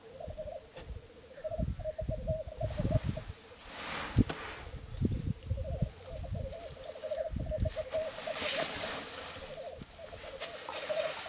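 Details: Black grouse lek in Florarna, three cocks displaying in the early morning of 17 April 2013: dense, unbroken bubbling and cooing in repeated rolling bursts, accompanied by frequent thumping and rustling noises and a few short bright clicks.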